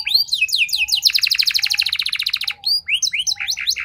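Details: Canary song played as a lure so other canaries reply quickly. Looping whistles lead into a long, buzzy rolling trill, followed by scattered upslurred notes and short warbles.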